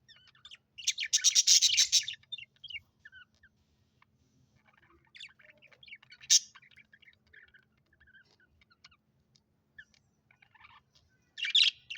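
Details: Colorful pet Australian budgies with a loud burst of rapid, buzzy chatter near the start, then sparse quiet chirps, a single sharp note midway, and another chattering burst at the end.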